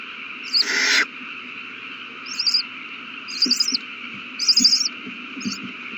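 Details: Fed owl chicks, March 27, 2020: one harsh, breathy hissing screech opens, followed by short bursts of high, jittery chittering every second or so, with soft taps underneath and a steady hum.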